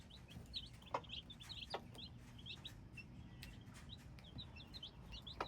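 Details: Hybrid chicks peeping continuously, clusters of shrill short notes coming in quick runs, over a low background rumble with occasional sharp taps.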